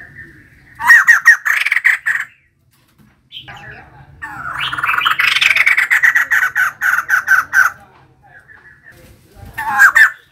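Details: A female white-crested laughingthrush bursts into long, loud, rapidly pulsed chattering phrases, one lasting several seconds, broken by brief silences and softer whistled notes.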